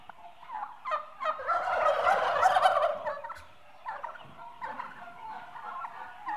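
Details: A flock of eight-month-old turkeys, mostly hens, trills and yelps together in a loud rising chorus that drops to scattered clucks and purrs.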